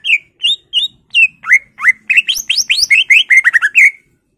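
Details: Full-isian song of a greater green leafbird: evenly spaced whistled notes about every third of a second, quickening into a rapid cascade of upward-sweeping and falling slurs.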